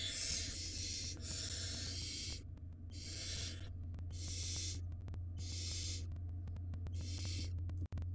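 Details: Barn owl nestlings at the nest during a long storm that made food scarce, the older chicks dominating incoming prey. Six harsh, broadband, snore-like hisses, each about a second long, repeated with short pauses, over a constant low hum and faint ticking.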